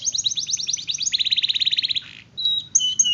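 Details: Long-rolling canary song: a rapid trill of high chirps shifts into a lower, dense buzzing roll, a brief gap, then a few clear high whistled notes.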